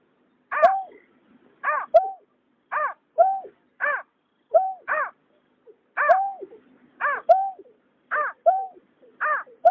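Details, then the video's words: Water rail pair, male and female, recorded 2021 as a night lure for migratory birds: crisp arching harmonic notes trade with flat lower notes, roughly fifty calls a minute, in clean quiet surroundings. "Tiếng nhát hoa, cà cuốc trống mái"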